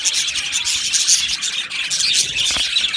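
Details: Chirping budgerigars in an aviary colony, a lively high chorus of quick tweets and warbles from many birds, with a few clear whistled notes standing out.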